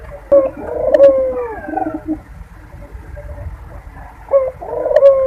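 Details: Barbary dove giving its breeding-season coo, a lure to bring birds into condition: two throaty, rolling coos about four seconds apart, each falling in pitch at the end, over a low steady indoor hum.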